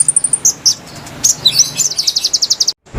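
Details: Konin lure song for wild birds: a short run of very high, thin notes, scattered whistled chips, then a rapid, bright trill that stops abruptly.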